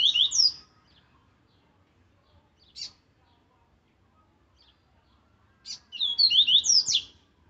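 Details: Two bursts of strong Viviti Zel Zel song from an aggressive Laranjeira double-collared seedeater, separated by about five seconds with a single short note between: each a tight cluster of high whistled slurs and buzzy downstrokes.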